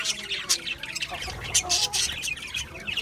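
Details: Budgies in a busy flock, producing rapid, high-pitched chirps and short squawks that overlap constantly, with a soft low rumble underneath.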